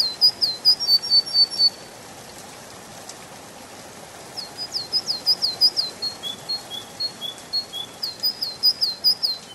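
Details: Canary singing in a spring forest: a burst of rapid, bright repeated chirped notes, a quiet gap, then further fast rolling phrases mixed with softer lower whistles.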